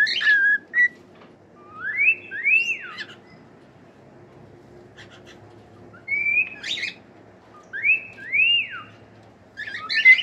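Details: Singing pet cockatiel, in a tune for training other birds: paired whistles that rise and then drop sharply, repeated after a pause of about three seconds, mixed with short harsh chirps.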